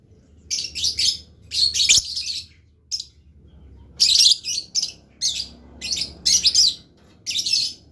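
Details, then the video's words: Blue lovebird singing energetically, with bursts of shrill, buzzy chirps in quick clusters, loud rasping trills and short gaps, with a faint low hum behind them. "LOVE BIRD GACOR"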